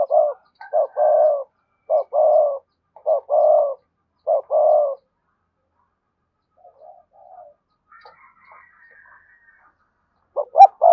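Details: Cooing spotted dove of the cườm sa kind, used to prompt others to coo. A run of hollow low notes, short and long alternating, then quiet with faint chirps before the cooing starts again.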